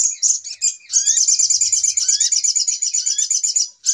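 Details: Noisy sogok ontong (brown-throated sunbird) trapping lure: a continuous, shrill, fast-stuttering twitter held for several seconds, with brief rising whistled slurs threaded through and a short gap before it resumes.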